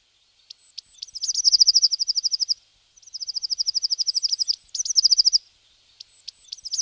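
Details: Eurasian blue tit recorded on 10 March 2018: high thin introductory notes followed by fast, even trills of about a dozen short notes each, three trills in a row separated by brief pauses.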